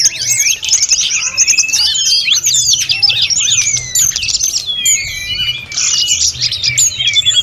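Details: Snowy-browed flycatcher singing constantly as training audio for other songbirds: a dense, high, fluting stream of quick whistled slurs and chirps, rising and falling notes packed tightly without pause, over a faint low hum.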